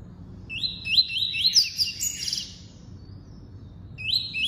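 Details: Double-collared seedeater giving its tuí-tuí song: a fast run of short, rising whistled notes that climbs and blurs into a buzzy burst, then pauses before a fresh pair of rising whistles at the end.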